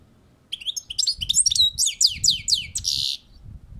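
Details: Balcony-recorded European goldfinch producing a dense, tumbling phrase of high twittering and slurred chirps that ends in a short buzzy note, with low background thuds.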